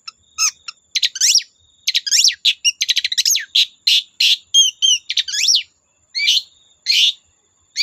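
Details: Long-tailed shrike, a kept songbird, singing to provoke other shrikes into song: loud, varied phrases of harsh chattering notes, rapid rattling bursts and sweeping whistled slurs, delivered in short bursts separated by brief pauses.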